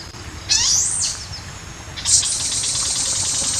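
A malkoha gives a harsh, high screech that rises and falls for half a second, then a long hissing rasp after a short pause.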